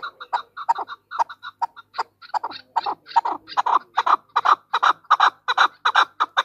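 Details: Calling female chukar partridge: softer clipped notes at the start build into loud, harsh chucking notes repeated rapidly, a little under three per second.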